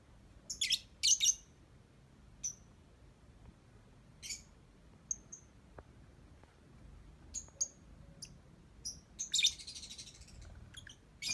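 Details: Lovebird praised as skilled at ngetik singing, giving short sharp high chirps scattered irregularly, some in quick pairs, with a denser burst near the end in a quiet room.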